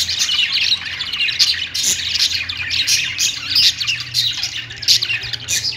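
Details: Budgerigars on a perch chattering together: quick, bright chirps and clicks mixed with harsher squeaky notes, repeated in short pulses throughout.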